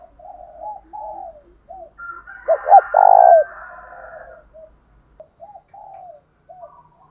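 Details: Spotted dove used as a decoy, cooing to provoke caged birds into calling back; a run of soft, low coos broken by a sudden louder burst of throaty notes midway, then quieter coos trailing off.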